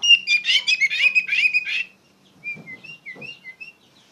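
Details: Oriental magpie-robin song for training other songbirds, opening with a loud, fast, rich warble of tumbling notes for two seconds, then a quieter series of short separate whistles with faint clicks.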